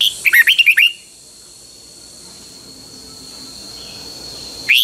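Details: Red-whiskered bulbul kept caged in Thailand, a Pa La-u bird, singing phleng boen style. One rapid phrase of five or six bubbly, rolling notes at the start, then quiet with a steady high hum, and another phrase just beginning.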